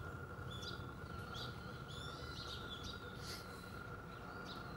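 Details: Varied tit (Sittiparus varius) calling: a few short, high chirping notes at irregular intervals, faint over a steady low hum and background rumble.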